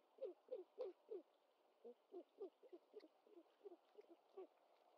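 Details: Nest camera, 25 March 2021: a great horned owlet fed a whole bird by its mother; a string of short, low, downslurred hoot-like notes, loud at first, then softer and irregular.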